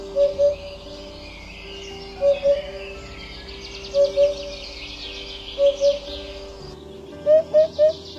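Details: Eurasian Hoopoe, seen alone or in pairs feeding near rivers and cultivated fields, giving soft low "hoop-po" doublets about every one and a half seconds, ending with a three-note "hoop-hoop-hoop", with music playing underneath.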